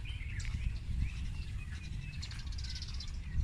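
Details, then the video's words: Birds chirping with thin sliding whistles, then a fast high twittering trill near the end, over a rumbling low-frequency background. "Listening To The Birds Chirping"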